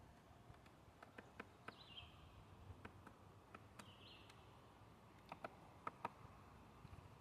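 A woodpecker taps at wood in sharp, irregular knocks, some doubled, with two brief squeaky notes in between over a low outdoor hum.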